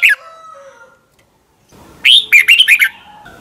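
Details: Song of a Thai red-whiskered bulbul, used as a tutor for caged birds. A single short note is followed by a long near-silence, then one quick chirpy phrase of about five notes. Faint tones linger afterward.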